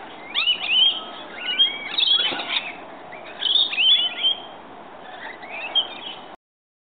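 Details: Rainbow lorikeets arriving to be fed in the morning give rapid bursts of shrill, screechy twittering notes in clusters about a second apart, ending abruptly.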